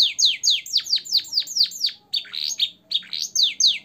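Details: Caged-bird training song of a canary with blackthroat and sanger fills: loud, clear downslurred whistles repeated about every quarter second, a burst of buzzier notes, then more falling whistles.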